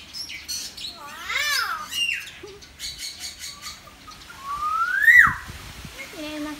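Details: Caged common hill myna in a residential area of Sanur, Bali, July 2019, gives loud, harsh, speech-like calls, including Balinese greetings, and a clear rising whistle; a Bali myna sits behind it and people talk softly nearby.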